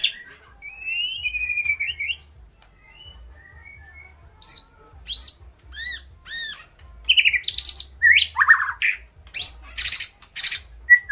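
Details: White-rumped shama singing actively and mimicking lovebird, kapas tembak and pijantung gunung calls: varied whistled slurs and upslurs, then harsher broken notes and loud clipped bursts toward the end, with pauses between phrases.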